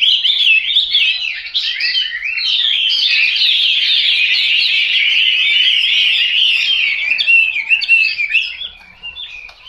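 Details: Chinese hwamei kept at home, singing a loud, unbroken stream of rich, rapidly varied warbled and whistled phrases that runs almost without pause for about eight seconds before fading at the end.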